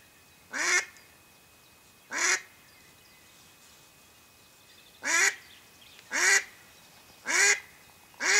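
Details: A female mallard used to lure wild ducks while hunting quacks loudly at irregular intervals of one to three seconds, six coarse, raspy notes over a quiet background.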